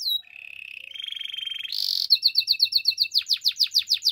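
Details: Morning song of a Belgian canary: a smooth mid trill rising into a buzzy roll, then a burst of rapid, regular chirps and steep downward sweeps repeated about four times a second.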